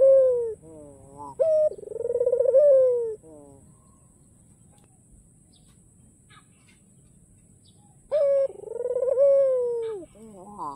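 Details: Coos from a white ringneck dove with a black neck ring, meant to draw rival birds into calling: two bursts of rolling, falling coos with quick upward-sweeping notes, separated by about five seconds of near silence.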